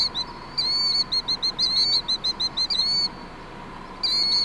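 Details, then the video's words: Killdeer calling: a rapid series of high, clear, sharply inflected notes, each rising then dropping, delivered in quick bursts with a brief pause before a final burst; steady low hum underneath. "Killdeer making noise"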